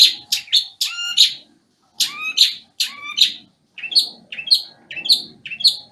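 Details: Banyuwangi long-tailed shrike in moult, in full song: sharp clicks and harsh chattered notes mixed with falling whistles, then a run of quick repeated chirps.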